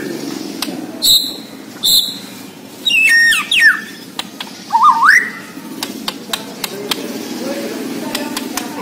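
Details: Borneo white-rumped shama singing: sharp high notes, then looping slurred whistles and a wavering rising phrase, followed by scattered faint clicks.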